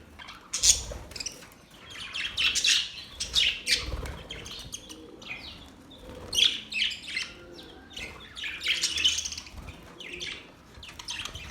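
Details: Happy budgerigars chirping in quick clusters of sharp, high tweets and scratchy warbles, with brief quieter gaps between bursts and a few soft low thumps in the background.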